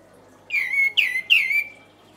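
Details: Kapas tembak song used as training material for songbirds: three loud, clear whistled notes, each sliding steeply downward and trailing off, given in quick succession.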